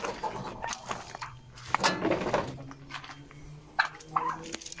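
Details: Hens on an October day give soft, brief clucks and murmurs scattered through the clip, with several taps and scratching noises and a steady low hum behind them.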